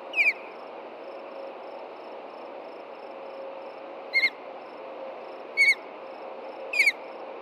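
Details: After dark on June 2, 2014, at a nest-cam osprey nest in Hellgate Canyon, Montana, the pair is disturbed by an intruding juvenile: brief, high, downslurred chirps at irregular gaps, with faint regular ticking and low hum behind.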